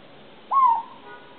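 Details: An owl gives a single short, clear whistled hoot that slides slightly downward and fades within a fraction of a second, over a quiet hiss.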